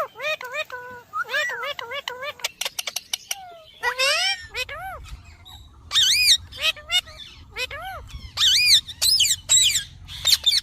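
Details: Parrot chattering in fast, repeated harmonic syllables with rising and falling inflections, like clipped speech, followed by louder sharp squeaky bursts; low background hum in the later part.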